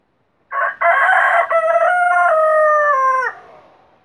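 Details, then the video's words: Rooster crowing loudly up close: a rough, broken opening followed by a long, drawn-out, harmonic note that holds steady, then dips slightly at the end before cutting off, about three seconds in all, in a quiet setting. "مرغے کی آذان"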